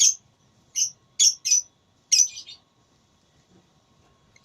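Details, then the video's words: Lovebird in a singing contest: clustered shrill, squeaky chirps and a short harsh rattling phrase, separated by near silence. "Lovebird Tarung Suara"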